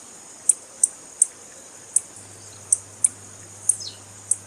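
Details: Female blue-black grassquit (tiziu) calling to stir a male into song: short, piercing high ticks spaced irregularly, roughly two or three per second, one followed by a quick falling slur, over a faint low hum.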